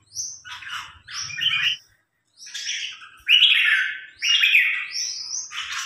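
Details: Caged red-whiskered bulbul trained for contest singing against a provincial champion: short bright chirping phrases in rapid bursts, each with a high upslurred note followed by a richer warble, separated by brief gaps.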